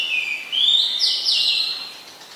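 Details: Oriental magpie-robin singing in Ubon Ratchathani, Thailand, 20 September 2022: a loud whistled phrase rising from a steady tone into a bright, slightly buzzy sweep, then fading away.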